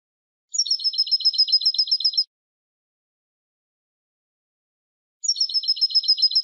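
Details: Song of a Spanish European goldfinch: two bursts of fast, tinkling double-note trills, each about two seconds long after a high lead-in note, separated by a long silence.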